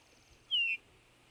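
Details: Eurasian bullfinch giving a soft, mournful falling whistle, a single 'pew' that slides gently downward over about a quarter second, with quiet background.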